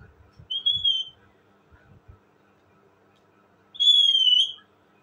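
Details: Indian ringneck parakeet, described as talking, giving two clear, high, flat whistled notes about three seconds apart; the second is longer and louder, with faint low rustles before it.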